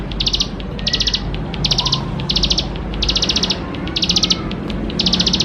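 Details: Chattering bar-winged prinia song full of fill-in phrases, played to coax young prinias into singing: quick high-pitched rattling bursts of about eight clipped notes, repeating evenly less than a second apart against faint background noise.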